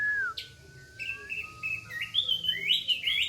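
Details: Orange-headed thrush singing in the tembakan style, a rapid-fire song with rough material; a falling whistle, then a long flat whistle, followed by rising, warbled high phrases.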